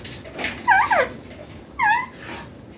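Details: Young green Indian ringneck parakeet talking indoors in Hindi: two short, clear, voice-like syllables with warbling rises and falls, a pair of notes then a single one, over a faint room hum.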